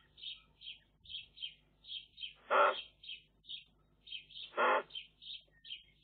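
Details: In a Eurasian magpie nest under camera watch, chicks beg with two loud, hoarse rasping bursts set among a regular string of brief, clear high-pitched notes.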